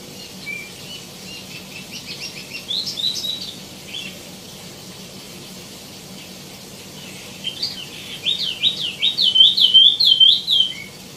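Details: A tieumi gives soft, scattered high chirps, goes quiet, then launches into a loud, rapid, trilling warble of zigzagging high notes.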